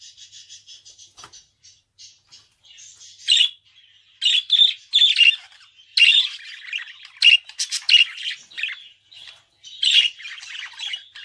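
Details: Pet budgerigar warbling: soft repeated chirps at first, then a busy, irregular chatter of squawky notes and buzzy bursts mixed with short clicks, in a quiet indoor setting.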